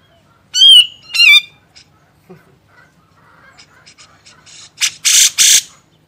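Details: Grey-cheeked bulbul, recorded as a training master for songbirds. Two loud, nasal, wavering calls open the recording, followed by soft scattered ticks and then a cluster of harsh, hissing rasps.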